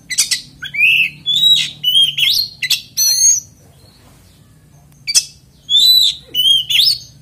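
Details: Oriental magpie-robin singing to trigger rival magpie-robins to sing along, delivering loud bursts of rich whistles, rasping notes and sharp chips, with a pause of about two seconds before more phrases.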